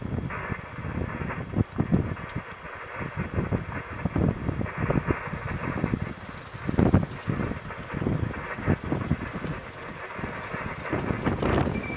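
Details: Low rumbling wind and vehicle-like noise with irregular thumps, and no clear animal call.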